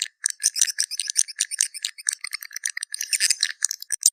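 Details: Swiftlet lure call, dense rapid clicking and chattering bursts, sharp and high, repeated continuously with no pauses.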